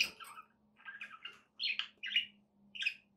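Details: Pet budgies giving short squeaky chirps and a few soft warbled notes, spaced about half a second apart over a steady low hum.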